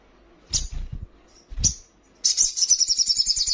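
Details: Female crimson sunbird calling to the male while in breeding condition: after two dull knocks, a fast, high, thin twittering chatter of rapid repeated notes runs steadily to the end.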